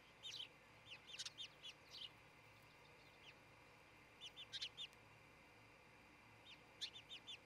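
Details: Osprey calling from a new nest in Charlo, Montana, 26 June 2018, early morning nest-cam sound: clusters of three to five high, clipped whistles separated by brief pauses, with faint hiss throughout.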